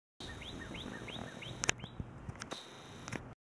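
A northern cardinal gives five quick rising whistled slurs, about three per second, then stops; a few sharp clicks and faint background noise follow.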